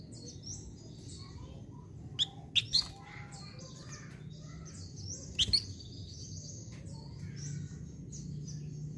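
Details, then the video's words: Flamboyan bird singing vigorously: thin, high warbled phrases and twittering runs, broken by a few sharp loud clicks, over a low steady hum. "BURUNG FLAMBOYAN GACOR"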